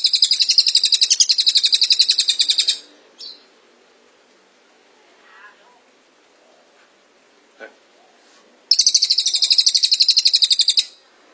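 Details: Cililin delivering long 'tembakan rapat' bursts for tutoring cage birds: a sustained high, fast-pulsed buzzy trill, a quiet stretch with a couple of faint clicks, then another loud rapid trill.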